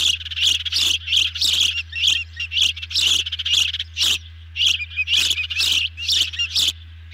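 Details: Feeding time at an osprey nest after a big dinner arrives; ragged, rasping high calls with whistled edges come in irregular bursts, some close together, others separated by short pauses.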